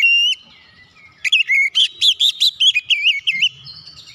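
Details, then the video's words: Oriental magpie-robin singing as a lure to get silent magpie-robins singing: a single clear whistle, a short pause, then a rapid string of about ten bright, wavering whistled notes with sharp attacks. "PANCINGAN KACER CEPAT EMOSI 100% KACER MACET MALAS BUNYI CEPAT GACOR"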